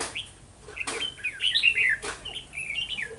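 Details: Red-whiskered bulbul in a decoy trapping setup, 11 November 2018: a short run of sweet, wavering whistled notes between two sharp clicks.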